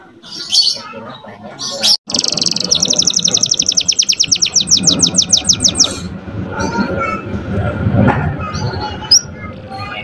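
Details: Young canary singing a master song meant to excite other canaries and bring females into breeding condition; scattered chirps, then a fast run of rapid high trills for about four seconds, followed by softer notes over background noise.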